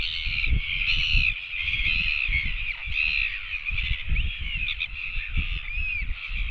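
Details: Royal albatross chicks begging for food make overlapping harmonic squeals and short looping notes in a nearly unbroken chorus, accompanied by constant wind buffeting.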